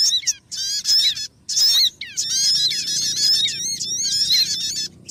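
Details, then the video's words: Sogon bird calling on a lure track for trapping: bursts of fast, wavering, chattering high notes with layered overtones, starting and stopping irregularly, then a long busy run toward the end. "MP3 Pikat Sogon"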